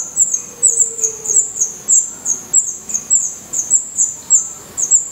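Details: Black redstart nestlings, eyes open and acquiring definitive feathers, call from their nest in Portugal: thin very high chirps in irregular pairs and triplets, with a faint lower whistle early on.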